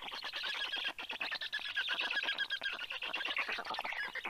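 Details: Black stork chicks growling at the nest as a parent returns with fish, 11 June 2022, 9:56 AM. The sound is a rapid, continuous stream of raspy, pulsed rattling notes, several chicks overlapping.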